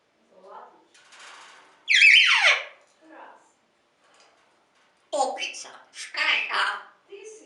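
A grey parrot chatters in short, speech-like phrases and gives one loud, harsh squawk that sweeps sharply downward. A person talks nearby.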